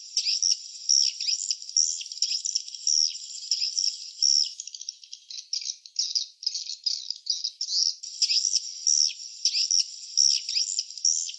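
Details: Swiftlets at the nest, giving dense, high, chirping twitters in rapid overlapping bursts, with a brief thinner patch near the middle before the chorus resumes.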